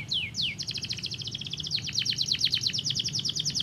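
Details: Canary singing to stimulate other canaries: two long falling slurs, then a dense, rapid rattling trill of short chirps that runs to the end without a break.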